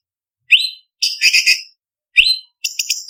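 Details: Contest-training song of a blue-winged leafbird: two bright rising whistles, each followed by a scratchy chattering burst, spaced about a second apart against silence.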